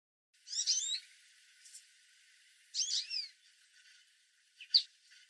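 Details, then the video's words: An American goldfinch perched on a branch at the top of a backyard tree gives a loud, short call: two quick bursts of high, twittering notes about two seconds apart, then a single sharp chip. "American Goldfinch Quick and Loud Bird Call"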